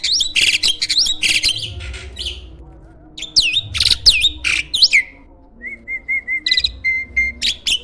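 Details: Captive champion starling, prized for its varied song and strong voice and used as a master for training contest birds: loud clusters of sharp chirps and looping whistles, a brief pause, then a string of soft even whistled notes.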